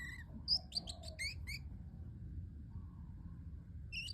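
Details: Pet parrotlet giving a brief string of high, buzzy chirps, then a pause and a couple of thin calls at the end, over a steady low hum.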